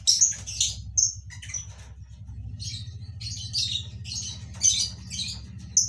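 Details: Lovebirds in colony breeding give shrill, piercing chirps in short bursts roughly every half second, over a constant low droning hum.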